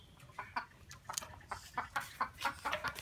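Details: A talking common myna, in a talking contest between a new and an old bird, gives short, harsh, clucking syllables about four per second in an uneven chattering run, mimicking speech-like sounds such as "me too".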